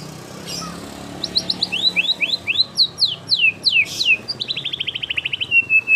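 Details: White-rumped shama in full, lively song with tembakan phrases, played as a lure for other shamas: a run of clear descending whistled slurs speeding up, then a rapid dense trill falling steadily in pitch.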